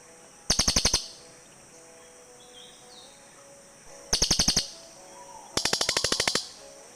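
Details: Cililin birds trading calls: three bursts of quick, sharp, high-pitched chattering notes, the last one longer and more rasping, with quiet gaps between them.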